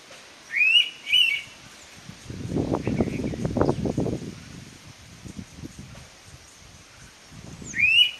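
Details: Indian pitta calling in Kokan, India: a clear two-part whistle, each note rising sharply, given near the start and again at the end, with a low rumbling noise in between.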